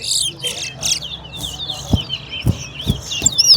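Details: Towa towa (chestnut-bellied seed finch) in a West Coast versus West Bank singing competition: brief hissy bursts, then an unbroken chain of quick, high whistled trills, with regular thumps and people counting aloud.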